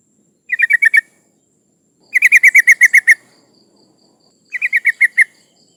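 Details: Breeding female sooty-headed bulbul calls for males, the sound meant to draw in rival birds: three rapid runs of bright, clipped chattering notes, the middle run longest at about ten notes, with silence between.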